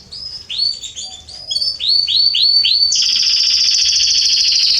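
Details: Garden canary singing, September 2020: varied short whistles, a series of repeated arching notes, then a long steady high rattling trill to the end.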